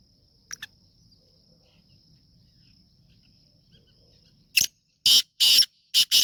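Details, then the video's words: Kala Teetar, the black francolin of Sheedi Chotla strain, calling after a quiet stretch with faint background noise: a burst of harsh, grating broadband notes in quick pairs near the end. "Black Franclion Voice Sheedi Chotla Nasal Kala Teetar ki Awaz"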